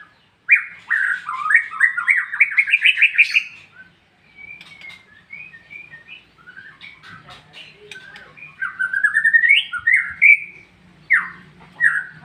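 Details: Loud ngeplong song from a white-rumped shama: a quick tumbling series of rising whistles, a long lull with soft scattered notes and faint background murmur, then emphatic rising and falling whistled phrases.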